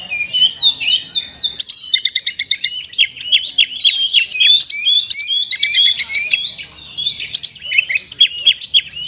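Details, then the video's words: Kapas tembak-like song by an oriental magpie-robin: a dense, continuous torrent of rapid whistled notes, chattering trills and sweeping slides, high-pitched and energetic for over nine seconds. "KACER RASA KAPAS TEMBAK ORIGINAL SOUND"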